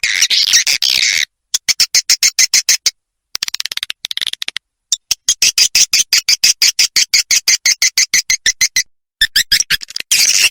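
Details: Edible-nest swiftlet roosting lure call, the "Ratu Birahi" style played to draw swiftlets in to roost: bursts of rapid, dry, high clicking chirps, roughly three per second, broken by short silent gaps.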